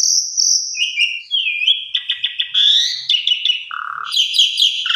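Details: Energetic singing from an Asian pied starling on a training recording: sustained high whistles, a slurred drop, rattling chatter, a low hooting note, then squeaky rapid phrases.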